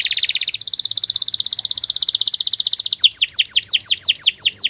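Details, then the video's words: Canary song for training other birds: a loud rapid trill dropping slightly in pitch, then a run of quick falling whistled notes. "Kicau Burung Kenari 174 II LUAR BIASA GACOR PANJANG Cocok untuk Masteran"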